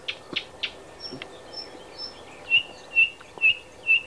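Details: Thrush nightingale at Háj, Turčianske Teplice, Slovakia: a few harsh clicks and faint high thin whistles, followed by four loud, pure, evenly spaced whistled notes about half a second apart.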